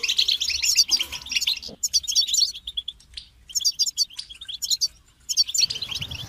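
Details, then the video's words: Goldfinch twittering in bright bursts of fast, high, tinkling notes separated by short silences, with a low rumble near the end. "The finest goldfinch chirps and songs for listening and training birds"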